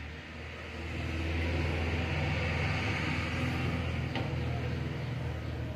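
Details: Steady low engine-like rumble with a broad hiss throughout and a brief click near the end; no animal voice stands out.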